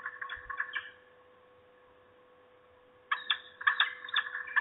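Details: Female Peregrine falcon guarding the nest against an intruder gives harsh, nasal, rapidly repeated calls: a short burst at first, a silent gap of about two seconds, then another fast, loud run of notes.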